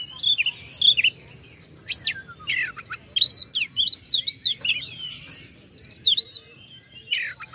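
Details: Oriental magpie-robin song aimed at angering rival birds: lively warbling of sharp whistles, rapid rising-falling notes and chattery runs in several dense bursts.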